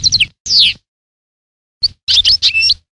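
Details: A European goldfinch gives a few quick chirps and a downward-sliding note, then after a pause a short run of bright twittering with a sustained whistled tone.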